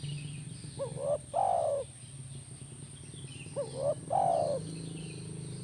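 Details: Spotted dove coos meant to make a caged spotted dove call back: two phrases, each two short, rising notes and a drawn, falling coo, about three seconds apart, with a low hum underneath.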